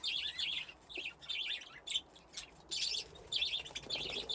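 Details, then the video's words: Budgerigars, a flock grown from two pairs, playing in an aviary with nesting boxes; steady warbling chatter of quick chirps and buzzy notes in close bursts. "Budgies playing in the aviary"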